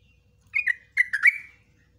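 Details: Yellow-vented bulbul in ropelan song with nguklik and ngecruk notes, used to train bulbuls: two short, liquid phrases of slurred, falling chirps, the second longer and ending in a drawn-out note.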